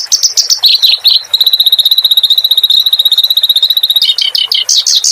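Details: Clamorous reed warbler song used as a training recording for cage birds: varied high chattering notes, then a long, fast, even trill of sharp repeated notes, ending in buzzy chirps.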